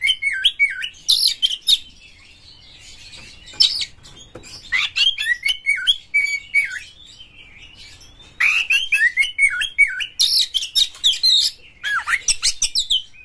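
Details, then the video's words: Song of a white-rumped shama played to coax other shamas into singing: rich fluted whistles rising and falling, interleaved with rapid scratchy chatter and sharp ticking notes, in bursts of several seconds with pauses between. "pancingan KACER Gacor buat Master KACER Buka Ekor"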